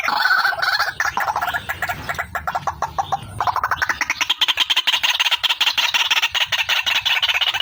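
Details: White-breasted waterhen, female, calling as a lure for trapping: loud, rapid series of harsh pulsed notes, shifting higher and faster midway into a steady chatter.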